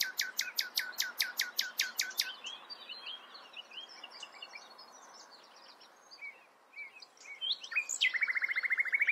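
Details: Singing common nightingale: a fast train of sharp repeated notes, then a quiet pause of soft varied twitters, ending with a rapid buzzing trill.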